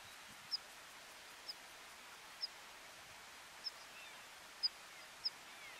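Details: Water pipit in Tignes, France, in July 2020, gives six thin, high, sharp call notes about a second apart, over a steady rushing background hiss.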